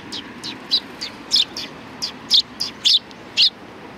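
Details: Greeting sparrows at a Tenmangu shrine on 3 July 2020 repeat clear, high single chirps about every third of a second, some louder and sharper than others.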